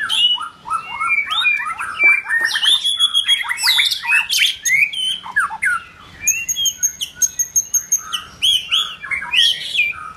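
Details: White-rumped shama in form building, pouring out a long, busy song of tumbling slurred whistles and high notes, followed by a run of rapid repeated chips and a tinkling high series.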